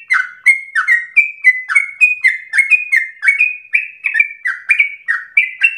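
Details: Persistent, fiery Sooty-headed bulbul song for provoking and training other birds; clean whistled notes in quick succession, each gliding slightly downward, forming an almost continuous stream.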